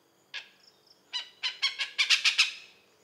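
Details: Oriental pied hornbill calling in Malaysia: a single squawk, then a quickening run of harsh cackling notes growing louder toward the end.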